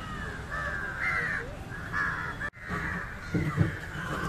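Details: An Indian jungle crow feeding on fish gives rough, harsh caws in short bursts, some slightly wavering, separated by a brief break, with low background noise.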